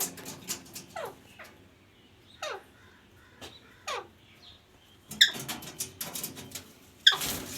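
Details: Pet parrot giving short descending squawk-like calls roughly every one to two seconds, each sliding downward, followed by a burst of scratchy rustling and sharp clicking chirps near the end.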